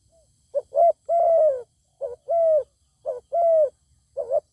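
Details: Zebra dove singing toward a wild bird with a good voice that will not descend to fight: four groups of quick double coos each ending in a sustained mellow hum.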